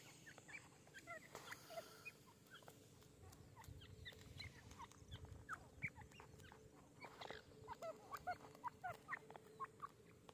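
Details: Grey francolins, male and female, calling in desert: many short, sharp, squeaky notes tumbling over one another at a quick, uneven pace, above a steady low mechanical hum.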